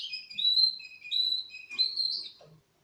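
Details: Russian canaries, four months old, sing clear whistled phrases of sliding high notes that rise and fall, with a brief buzzy break in the middle and soft low clicks.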